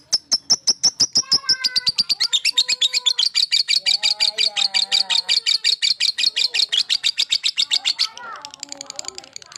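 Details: Lovebird male calling to stir up rival birds: fast, even trains of high chirping notes, with lower warbling notes underneath, ending in a softer jumble.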